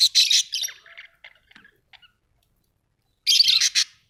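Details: Pet budgerigars at home, with a loud burst of buzzy chatter, scattered faint clicks and ticks, then a second harsh chirping burst after a brief silence.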